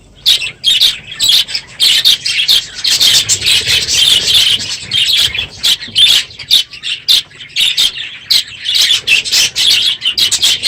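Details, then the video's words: Crowded aviary of budgerigars, unusually loud one morning after the breeding season: rapid overlapping chirps and harsh squawks in bursts, with brief lulls between. "My Budgies Today - NOISY birds this morning!"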